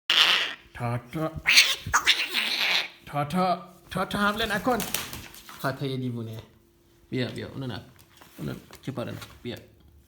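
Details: A young, blue-eyed white umbrella cockatoo, recorded in 2020 when newly adopted, with ragged wings after being annoyed by a previous owner, gives loud, wavering meow-like yowls that sound uncannily like squabbling cats.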